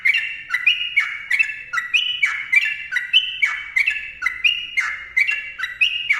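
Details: Sooty-headed bulbul singing a dense, long rapid song: crisp whistled phrases repeated roughly twice each second, each note leaping up then sliding down, steady and unbroken throughout, in the mbonang style used for lure recordings.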